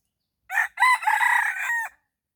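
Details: A red junglefowl crows at dawn-time luring with a decoy: a four-part harsh call, short start, loud rising burst, drawn-out wavering middle, abrupt close, lasting about a second and a half against a silent background.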